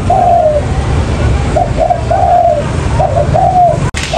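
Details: Spotted dove calling, used as a lure for trapping: short hollow coos repeated in pairs and triples, each slightly falling, over a constant loud background hiss and rumble.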